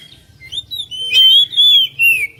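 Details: Song of an oriental magpie-robin meant to stir another bird into singing: soft introductory notes lead into three long, sustained pure whistles that slide slightly downward.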